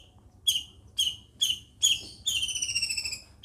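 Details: Long-tailed shrike from Situbondo uttering four harsh ringing notes at half-second intervals, then a longer, wavering, drawn-out trill.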